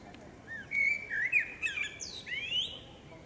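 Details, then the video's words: Forest recording of a singing female common blackbird: several rich, slurred whistles rising and falling, interspersed with high squeaky accents, ending on a long upward-sliding note. "Dźwięk śpiewu kosa. Samica kosa śpiewa. Kos śpiewa w lesie. sounds and singing of the blackbird"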